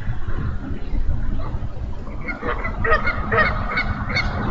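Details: Eagle at its nest on 8 April 2014 at about 6:46 pm, the male arriving late to relieve the female incubating three eggs, from a live nest camera: a run of short, piping, harmonic notes in the second half over a steady wind rumble.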